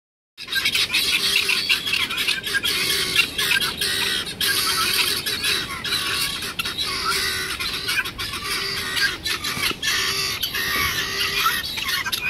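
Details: Domestic guinea fowl recorded on 31 March 2016 call with harsh, rasping cries that overlap into a continuous raucous chorus.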